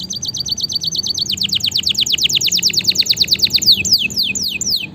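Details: Canary master song for stimulating lazy canaries: a fast run of short high chips merges into a loud trill of steep falling notes, then slower separate downward swoops.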